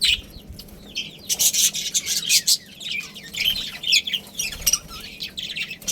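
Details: A budgerigar breeding pair in a colony producing raspy, scratchy chatter with loud broadband bursts and fast warbled twitters throughout.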